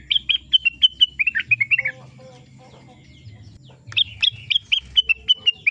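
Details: Rengganis bird singing: bright whistled notes repeated quickly in a run, some slurred downward, then a short pause with soft lower notes, before another fast run of repeated whistles.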